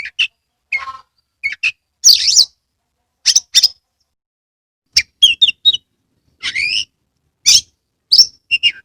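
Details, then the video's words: Oriental magpie-robin (kacer) from Kebumen, Central Java, singing with tail spread: a varied run of sweet whistles, rising slurs and scratchy chatters in short bursts about half a second apart. "Kacer gacor"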